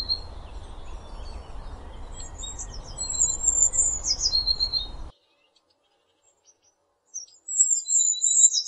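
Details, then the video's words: Eurasian blue tit singing high, thin, descending notes that end in trills. A constant low rushing noise under the first part stops abruptly, and another phrase follows in quiet. "Bird songs - Pretty melody of Blue tit."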